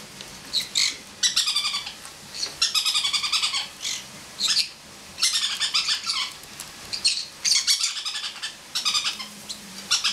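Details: Male pineapple conure, a house pet, laughing from atop a person's head while another bird bathes and one talks; repeated rattling bursts of quick pulsed squawky notes, about eight bouts in ten seconds.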